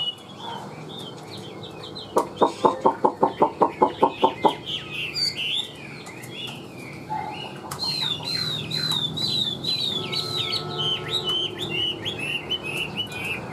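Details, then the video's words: Caged Chinese hwamei whistles twisting phrases while a burst of loud, evenly spaced clucking pulses intrudes for about two seconds, after which the hwamei resumes with a stream of arched, repeated whistled notes. "Siêu mỏ ra giọng rất đều - Họa mi đẹp hót hay"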